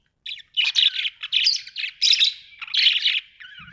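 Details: A pet budgerigar at home warbles continuously in a fast run of buzzy, chattering notes that rise and fall, about five phrases in quick succession.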